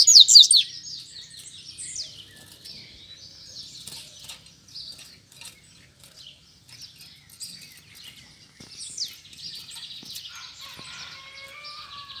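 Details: Double-collared seedeater (coleiro) song in a fight challenge between a caged bird and two free ones; a loud burst of high trilled notes opens, then quieter scattered chirps and twittering phrases with faint clicks.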